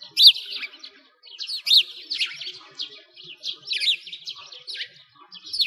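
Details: Sparrows chirping in winter beside a frozen lake in Bratislavsky Park, Moscow, Russia: dense overlapping bright chirps and tweets, some sharply rising and falling, in quick irregular bursts about every second.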